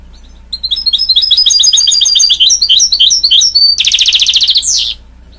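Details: Canary-goldfinch hybrid, called a mule, singing a quick run of twittering notes that builds into a dense rattling trill and a falling whistle, with faint low hum behind.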